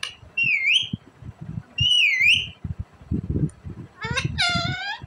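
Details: Pet green Indian ringneck parrot, said to be talking happily: two loud swooping whistled sounds, then a harsher voice-like utterance rich in stacked harmonics, with soft indoor background knocks.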